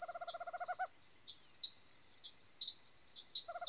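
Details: Tropical screech owl from rural Araçatuba, São Paulo: the close of a rapid purring trill ends in accented notes, then a new trill begins after a pause of nearly three seconds, with chirping insects behind.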